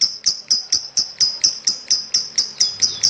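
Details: Champion lovebird singing: a fast, even series of about thirteen high, sharp chirps, roughly four per second, with no other clear sounds.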